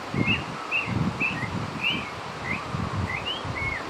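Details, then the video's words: Northern oriole song of short whistled and slurred notes, some rising and some falling, given in a quick irregular series over low rumbling outdoor noise. "El Turpial Norteño"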